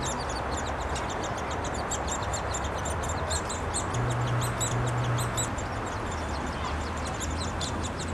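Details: Downy woodpecker nestlings in a tree nest at Wolfe Park, Columbus, Ohio, on 26 May 2013 beg noisily while female and male adults feed them: a steady, high, buzzy chatter of rapid chirps over a heavy low rumble.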